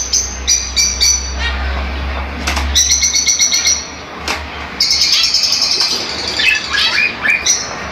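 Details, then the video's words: Fischer's lovebirds singing to spur mating; dense shrill chirps and rapid squeaky trills from several birds, wing flutters, and a low steady hum in the first half. "تغريد وتحفيز لتزاوج عصافير الفيشر"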